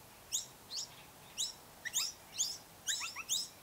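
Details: Noisy miner at its nest, giving sharp, high chirping calls in short bursts of two or three notes, repeated irregularly about every half second, over quiet background.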